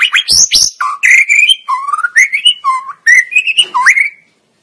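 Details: Murai batu, the white-rumped shama, singing for a masteran training recording: clear whistled phrases that dip and rise, varied notes separated by short pauses, ending cleanly.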